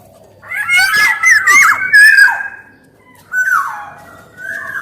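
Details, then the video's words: Black-naped oriole, golden oriole for luring and tutoring, voice of male and female; a long, wavering, fluty whistle with rasping notes, then a shorter whistled phrase after a pause. "SUARA KEPODANG EMAS GACOR || SUARA PANCINGAN DAN MASTERAN KEPODANG"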